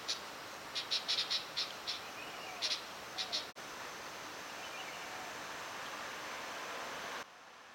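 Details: Seven-day-old light-vented bulbul chicks, recorded 1 June 2009, give quick runs of short, high, thin chirps in clustered bursts over about three seconds, followed by steady background hiss.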